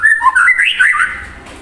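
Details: White-rumped shama in full song, used to provoke another shama: a short burst of clear whistled notes, jumping up and down in pitch, then a fading trill.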